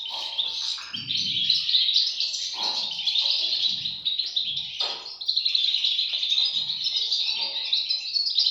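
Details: High, scratchy chatter of European goldfinch chicks calling all at once, with quick chirps overlapping continuously and a short quieter spell in the middle.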